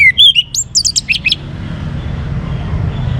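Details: A young orange-headed thrush (Geokichla citrina) gives a quick burst of varied, clear whistled phrases, rising and falling, lasting about a second, then only a low background hum remains.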